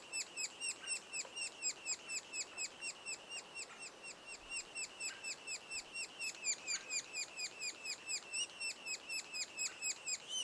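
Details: Sapsucker calls at a nest two days before the first fledging: a steady, fast string of high, nasal, buzzy chirps, repeated again and again without pause, with no other sounds heard.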